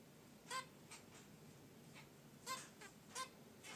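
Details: Caged zebra finches at rest by their wicker basket nest give brief nasal chirps. Several short harmonic notes come at irregular intervals, two or three clustered near the end, with soft room hiss between.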